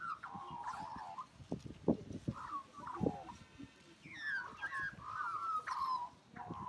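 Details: Australian magpie singing a melodious song: warbling, gurgling phrases around a narrow mid-pitched band, rising and falling slides, with low thumps and knocks of handling noise throughout.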